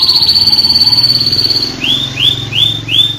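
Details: National champion canary singing in a varied style: a rapid trilled run of high notes, then a lower warbling series, followed by four repeated rising swept whistles about every half second.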